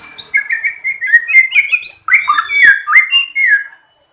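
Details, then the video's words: White-rumped shama song played to provoke other shamas into singing, made of quick, bouncing whistled notes in two rapid phrases with a short break between, clean and loud. "Masteran Burung Murai GACOR BIKIN Burung lain akan terpancing ikut BERKICAU"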